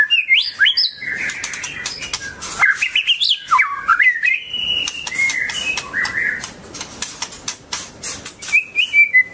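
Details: Singing white-rumped shama delivering loud fluty whistles and tumbling warbles, with sharp clicking notes and a long sustained whistle midway, phrases broken by short gaps.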